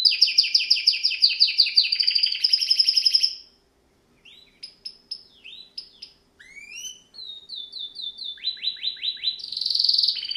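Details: A canary (Serinus canaria) sings for training young birds: dense rolling trills, a short pause, then sparse sharp chips and rising sweeps, building into quick descending notes and a buzzy ending.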